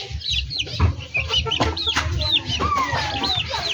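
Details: Chickens in a backyard breeding setup: thin descending peeps come in quick bursts, and one longer whistle glides gently downward near the end, all over a constant low rumble.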